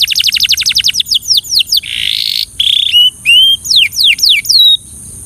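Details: Belgian canary singing for training: rapid trills of repeated downward notes, a buzzy rolling section, then clear whistled rising and falling slurred phrases, loud and continuous with no other sounds.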